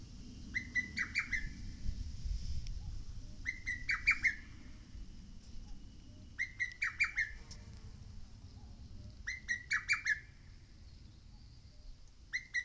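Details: Lesser cuckoo singing on Mount Oike: a rapid, stuttering phrase of sharp whistled notes, repeated about every three seconds, over a steady low rumble of wind or water.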